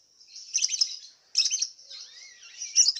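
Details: Caged contest lovebird from Singkawang, West Kalimantan, fed white millet. Two loud, harsh chirp bursts are separated by a short gap. A softer wavering high whistle follows, then a final sharp chirp.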